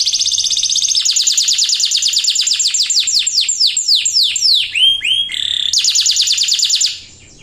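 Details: Canary in full 'gacor' song meant to coax other birds into singing: long fast rolling trill of repeated downward-sweeping notes, several steep whistled swoops, then another rapid trill ending abruptly.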